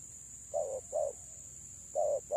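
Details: Female spotted dove used as a lure to draw in birds, giving short mellow coos at about 0.4-second spacing, a pause, then two more, over a steady high electronic whine.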